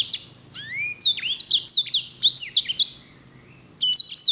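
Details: Edel/herda sanger canary, a singer known for elegant rolls, pours out a long varied phrase of rising slurs, rapid high swoops and chattering notes, falls quiet briefly, then resumes with clipped whistles.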